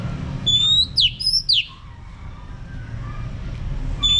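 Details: Orange-headed thrush singing in the ngeplong manner, a lure for males: a few loud, clear whistles and steep downward slurs in the first two seconds, then quieter, softer notes and one more whistle at the end, with low background rumble.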